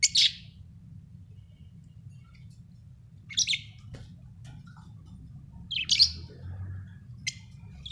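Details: Happy budgerigar chirping sparsely, four short sharp high tweets spaced a few seconds apart over a quiet background with a constant low hum.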